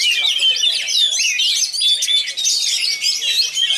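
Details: Oriental magpie-robin from Pasaman Barat delivering a fast, tightly packed song: a continuous rush of varied high whistles, slurs and trills with barely a pause.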